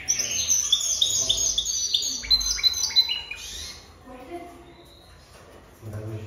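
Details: Jaspe canary delivering a fast, sparkling trilled phrase of clipped high notes for almost four seconds, then falling quiet apart from faint soft sounds.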